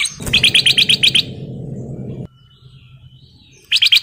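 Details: Male sooty-headed bulbul in breeding condition calling to a female: a quick run of about eight bright, clipped chirps, a pause, then another burst, over a steady low rumbling background noise.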